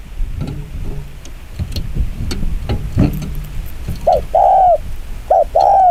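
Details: Spotted dove in the fast 'chiêu gù kích bổi' cooing style: after several seconds of clattering noise and traffic-like rumble, two mellow coo pairs arrive near the end, each a brief note then a drawn-out hollow one.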